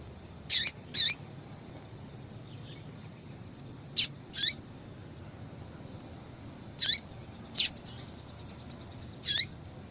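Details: Female yellow-bellied seedeater calling repeatedly to excite males; thin high chips with a falling tail, often in pairs, about two dozen a minute over steady background hiss.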